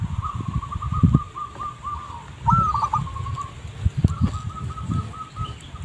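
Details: Zebra dove lure recording with three rolling phrases of fast stuttering coos, the middle one rising into a sharper trill, against constant low rumble and occasional knocks.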